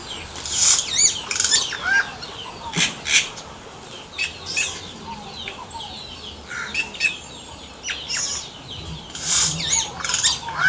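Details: Yellow-rumped cacique (xexéu) in natural surroundings, giving a varied song of sharp clicking bursts, liquid gurgles and short rising and falling whistles in irregular clusters, with quieter chirps from other birds between phrases.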